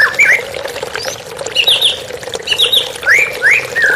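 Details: White-rumped shama song in a therapy recording with running water: loud rising whistled sweeps and buzzy slurred notes in quick bursts, over a steady low hum.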